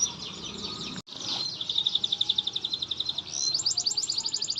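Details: Atlantic canary singing, used as a lure to prompt a quiet canary to sing: a long, continuous high rolling trill of fast pulsed notes that shifts pitch midway into a brighter, sharper series, over faint steady background hiss.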